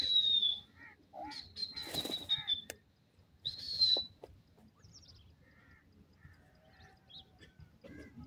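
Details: Pair of partridges, a dakhni titer and an irani teetar, gives loud high whistled notes in short bursts, with a noisy rustling burst in between, followed by softer scattered chirps and quiet pauses.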